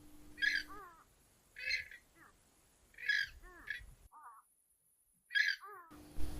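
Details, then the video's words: Grey-headed Swamphen (Purple Swamphen) gives loud, harsh nasal squawks, each followed by short downward-slurred notes, repeated every one to two seconds over a faint low hum. "Grey-headed swamphen | Purple Swamphen sound"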